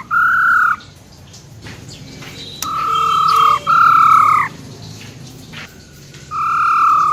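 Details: Female silver-eared laughingthrush giving wild-type song to excite males: a short clear whistle, a pause with faint clicks, then two long whistled notes back to back, and another whistle after a gap.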